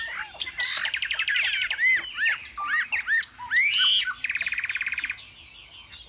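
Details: Vietnamese caged Chinese hwamei singing high while spreading its plumage: arched rising-and-falling whistles repeated in quick succession, with a long rattling trill near the end.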